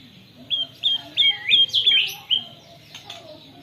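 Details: White-rumped shama trained with canary imitation, caught on a phone: a row of about six clear whistled notes, each with a short upward flick, repeated roughly every third of a second, then softer chatter over a low background hum.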